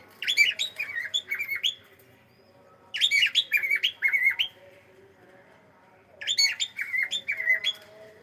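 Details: A pet cockatiel greets with hello calls: three separate phrases of sharp, warbled whistles, each lasting about a second and a half, repeated roughly every three seconds in a quiet room.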